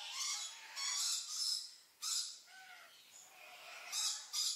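Red-billed leiothrix giving harsh, rasping bursts about a second apart, mixed with a few short whistled notes in the middle.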